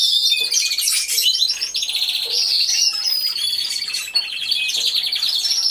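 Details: Aviary full of canaries singing, recorded on a hidden camera: a steady wall of high trills, rolling repeated notes and sharp whistled slides from several birds overlapping throughout.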